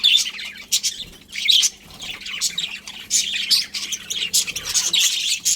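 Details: Budgerigar colony chirping: dense overlapping buzzy, scratchy chirps and warbles, nearly continuous with brief lulls, over a steady low electrical hum.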